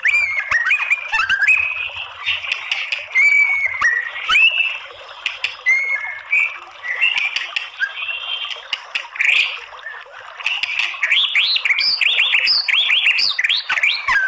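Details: White-rumped shama female voice used to trigger other birds' song: long series of clear whistled phrases mixed with ticking clicks and chatter, ending in a fast run of arched up-down whistles.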